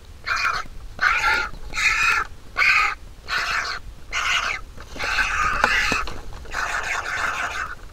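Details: Vulture nestling begging as the mother feeds it: coarse, grating squawks, separate at first, then running into a longer continuous raspy stretch near the end.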